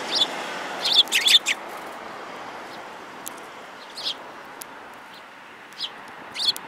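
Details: Several sparrows including a yellow-beaked bird, 5 February 2018: a tight cluster of loud chirps in the first second and a half, then isolated single chips at intervals.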